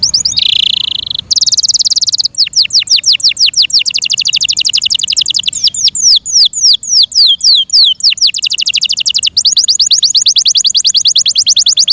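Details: Yorkshire canary kept as a pet singing a long loud sequence: buzzy trill, swift rolling trills, and series of descending whistled sweeps, continuous for twelve seconds.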